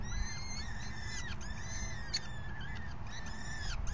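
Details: Falcon nest at feeding time, fifth feeding at 4:40 PM, May 9, 2020: nearly continuous high, thin, whining calls that rise and fall in long arcs, several overlapping, above a constant low rumble.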